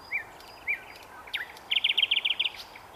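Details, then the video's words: Nightingale song recorded at Svyatoe Lake (Holy Lake): two short arched whistles and a swooping slurred note lead into a fast, loud, even run of about nine repeated notes. "Пение соловья"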